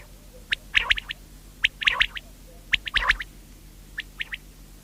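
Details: Common quail (batair) song: quick triple-note phrases, sharp and liquid, repeated roughly every 1.1 seconds, followed by softer, spaced notes, with a faint low hum beneath.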